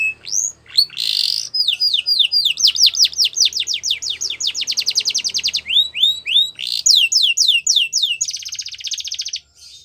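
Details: Yellow canary singing, described as in the wild: long varied phrases of rapid repeated notes, slurred downward sweeps and fast rolling trills, with tempo shifts and a short buzzy trill near the end.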